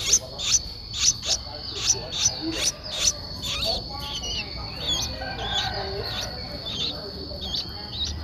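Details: Eleven-day-old Streak-eared Bulbul chick in Ubon Ratchathani, Thailand, recorded 13 April 2023; high, thin chirps repeated quickly for three seconds, then quieter warbling notes over a constant high-pitched hum.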